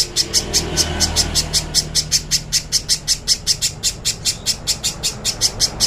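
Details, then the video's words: Master song of the little spiderhunter for training: a long run of rapid, sharp high-pitched chips repeated steadily, with low rumbling background noise early on. "MASTERAN BURUNG PIJANTUNG PISANG JERNIH"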